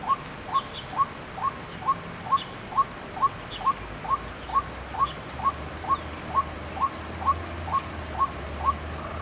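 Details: A White-breasted Waterhen at Chiang Kai-shek Memorial Hall, Taiwan, on 6 September 2012, gives a steady series of short, hollow mid-pitched notes, about two per second, over a faint low hum.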